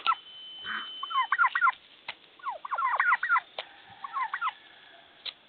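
A turkey gobbles in rapid, rattling bursts of throaty, bubbling notes, two main runs about two seconds apart, with a few sharp clicks between.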